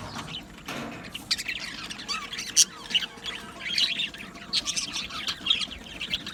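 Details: Australian budgie colony in an aviary, many birds chattering together: dense overlapping warbles, chirps and squawks filling the recording continuously, with one brief thump early on.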